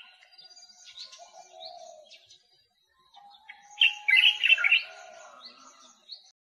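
White-capped Redstart: thin, high chirps, faint at first, then a loud burst of rapid, sharp notes near the middle. Soft lower whistles sound in the background.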